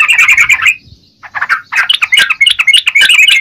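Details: Yellow-vented bulbul singing actively: a quick chattering burst, a short lull, then uneven, bubbly notes that build back into fast twittering.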